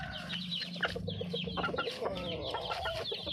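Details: Junglefowl calling to attract a mate: a run of short, repeated clucking notes, steady and evenly spaced, over a busy layer of high thin chirps and a constant low hum.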